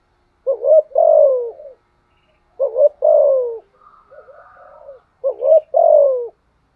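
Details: Spotted dove used as a decoy, cooing three times: a rapid double rising note then a drawn-out falling hoot, with a faint softer warble between phrases.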